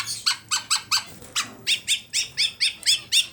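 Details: Black-naped Oriole kept tame in Klaten, Central Java, giving a full-isian phrase of about a dozen squeaky, upward-hooked high notes repeated roughly four times a second, evenly spaced, in a small room.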